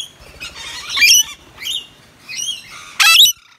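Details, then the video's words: Rain-soaked wild Rainbow Lorikeets, native Australian parrots, gathered near a balcony: separate harsh screeches and grating squawks about once a second, ending in one loud rasping shriek. "Lorikeets in the Rain"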